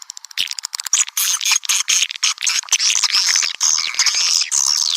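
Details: Lure sound for attracting swiftlets: a few quick clicks, then steady rapid high twittering, buzzy chatter and thin whistled trills, broken by brief pauses.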